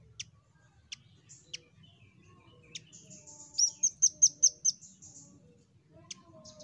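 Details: A nuthatch, in a recording used as a lure call, gives a quick run of about six sharp, high, ringing notes, with scattered thin chips before and after against a faint low hum.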